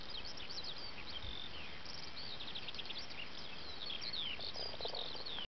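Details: Eurasian skylark singing in its habitat, a dense unbroken flow of rapid high twittering, trilled and slurred notes, set against a steady rushing background of wind and noise.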